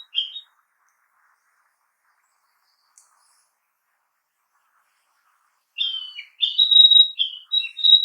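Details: Narcissus flycatcher singing in a forest: a short whistled phrase, a long pause, then a run of clear, slurred whistles around the same high pitch, with notes rising and falling in quick succession.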